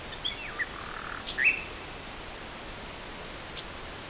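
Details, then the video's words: Spring 2014 nightingale song: scattered high whistled notes and a soft rising slur, then a burst of sharp clicking chirps, with faint hiss in the background. "Le chant du rossignol"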